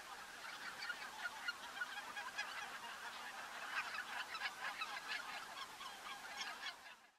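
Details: Greater white-fronted geese in the Netherlands at Workum in February: a dense continuous chorus of many overlapping high yelping and cackling calls from a large flock, with no gaps.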